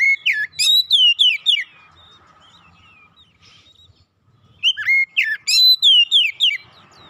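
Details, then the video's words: White-rumped shama song meant to soothe and restore a stressed bird; two bursts of bright whistled slurred notes separated by about three seconds of quiet with faint soft notes. "terapi Kacer dan pemulihan Kacer setres cepat gacor"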